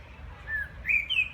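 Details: Common blackbird song in the background: two mellow, fluty whistled notes, the second rising higher and clearer, over a faint low rumble.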